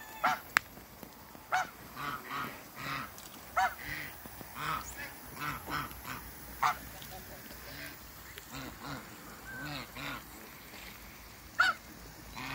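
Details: A pair of African geese meeting each other on a waterbird farm: loud, nasal honks repeated in irregular bursts about every second, some doubled, over a steady low background hum.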